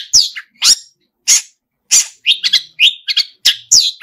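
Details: Long-tailed shrike, known locally as pentet, singing vigorously with a song full of mimicked phrases: harsh, scratchy high notes in short bursts, some sweeping down, with quick chattering notes in the second half.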